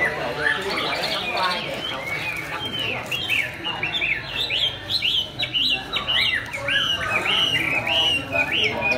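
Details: Chinese hwamei, newly finished moulting, singing all day: loud, clear whistled phrases of rising and falling slurred notes, several quick upswept notes repeated in runs, with faint background chatter.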